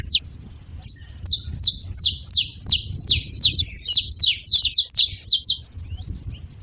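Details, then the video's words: Saffron finch chips start singly, then speed into a dense rattling run of sharp high notes before stopping, with quiet low background noise. "Canário da terra fazendo barulho"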